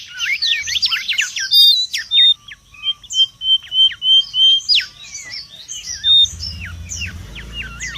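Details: Busy song of a wild mangrove whistler, recorded as a lure and tutor: a tumbling opening of looped whistles, then a series of short clear notes about every half second, ending in faint rapid notes.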